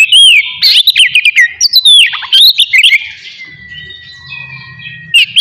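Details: Morning Oriental magpie-robin song meant to provoke aggression and breeding urge: rich whistled slurs and chattering notes in a dense opening burst, then a quieter drawn-out whistle over low rumble, with a short burst at the end.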